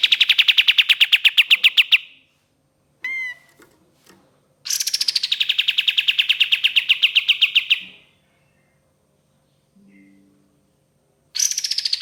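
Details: Ashy tailorbird used as a lure, singing 'tembakan panjang' long bursts: three runs of quick, evenly spaced sharp notes, the first dropping in pitch at the start, separated by silences with a few brief squeaky notes.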